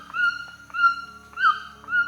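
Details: White-throated Toucan song used as a sample for an automatic bird-sound identifier: four strong yelped notes, steady in pitch, some with a quick rising-falling inflection, spaced roughly every half second, a soft low droning hum beneath.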